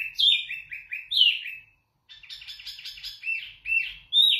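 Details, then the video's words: Zebra finch song from a captive bird kept for tutoring other birds: loud, clear phrases of nasal, harmonic-rich notes, a run of descending buzzy notes, a short pause, then a rapid stuttering stretch ending in bright upward notes. "Wambi Mini Gacor Lantang Suara Jernih Untuk Masteran"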